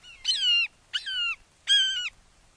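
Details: Red-shouldered hawk at a Wake Forest nest, morning of 29 May 2023, father delivering a frog to a fledgling: three loud, close, drawn-out downslurred squealing notes, strongly harmonic, each about half a second long.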